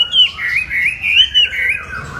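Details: Brief continuous warble from a Chinese hwamei, a fluid, undulating whistled phrase wavering up and down without a break.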